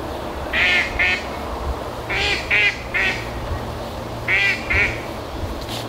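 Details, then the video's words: Ducks, unseen on an overgrown, duckweed-covered moat at Barrs Court, quack in nasal bursts of two or three, about seven quacks in six seconds, over a low steady background rumble. "I can hear the ducks. Well, they are there. Don't"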